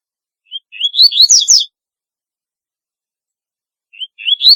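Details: Double-collared seedeater song: one complete phrase of rising slurred whistles ending in buzzy high chirps, then a quiet gap before the next phrase begins at the very end.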